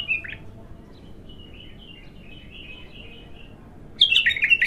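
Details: Bulbul, untrained and singing for the first time: a loud chirp, a soft trailing series of thin whistled notes, then a sudden loud rich warbled phrase.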